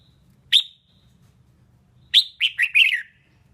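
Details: A female red-whiskered bulbul sings to rouse males: one sharp whistled note, a pause, then a quick run of four bright, slurred whistles falling in pitch. A faint low hum lies underneath.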